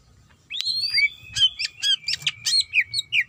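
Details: A female greater green leafbird in heat calls to the male. A sustained thin whistle carries through the phrase while crisp, rapid chirps and rising flicks are layered on top, starting after a short silence.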